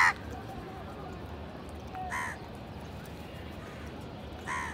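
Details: Village Indian house crows gathered at food, squabbling as they feed; three hoarse, rasping caws spaced roughly two seconds apart over a constant low outdoor rumble.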